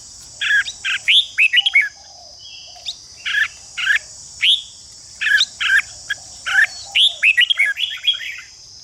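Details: Red-whiskered bulbul chattering to push other bulbuls into combative song: clusters of rasping bursts with rising whistled flicks, pausing briefly between groups, set against an unbroken shrill hiss.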